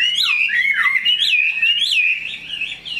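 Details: Chinese hwamei, tame and big-bodied, kept caged, delivers a loud flowing whistled phrase of rising and falling slurs, rich and melodious, with bright upward flicks between smoother looping notes.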